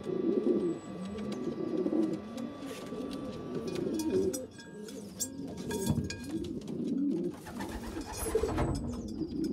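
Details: A weak, small young pigeon feeds larger pigeon youngsters. There are continuous low warbling, squeaky calls with bumps and shuffling noises, and a brief sharper rustle near the end.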